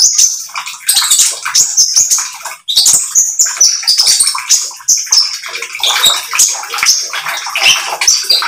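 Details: Oriental magpie-robin singing a lively, chattering stream of high, sharp chirps and short whistles, packed closely together with brief gaps, used as a lure recording to set other magpie-robins singing.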